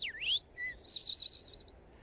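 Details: An Eastern Towhee sings its 'drink-your-tea' phrase: a high swooping note, a short lower note, then a fast, even, ringing trill lasting almost a second; others call 'towhee' in the distance.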